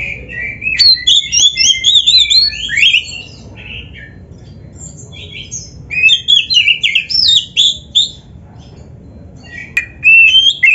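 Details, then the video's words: Caged white-rumped shama (kacer) training song, full of mimicked phrases: bursts of quick squeaky and whistled notes separated by brief quiet gaps, with one phrase returning near the end. "MASTERAN KACER GACOR FULL ISIAN !! - Suara Burung Kacer yang cocok untuk LATIHAN"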